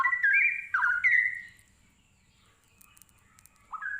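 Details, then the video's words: Straw-headed bulbul singing: loud, rich, bubbling whistled phrases sliding up and down, three quick bursts in the first 1.5 seconds, a pause, then a final rising whistle. "Burung cucak Rowo sepesial"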